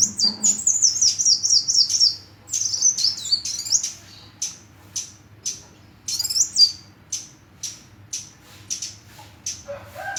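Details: Rapid high-pitched sunbird twitter that breaks into a series of short, sharp chips repeated roughly twice per second, with a lower whistled note at the very end.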